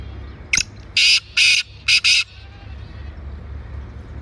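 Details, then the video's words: Harsh grating call of a black francolin, Sindh, Pakistan: a short sharp lead note followed by two long rasping notes and a fast double note, then faint low background noise. "Kala Teeter"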